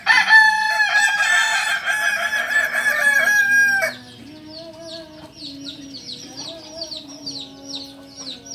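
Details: Kokok Balenggek cockerel, the singing breed native to Solok, Indonesia, from a farm: a long, loud, tiered crow of rapid rattling syllables lasting nearly four seconds, followed by a run of repeated high chirps from small birds.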